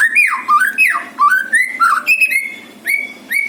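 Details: Lure song of a white-rumped shama recorded in Bali: loud, rich whistled phrases that swoop down and climb again in quick succession, followed by several short, bright, upward-flicked notes with brief pauses between them.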